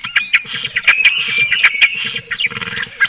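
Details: Spotless starling singing at a webcam in Cabañeros National Park: a dense, varied run of whistled notes near one pitch mixed with sharp clicks and chatter, over a steady low electrical hum.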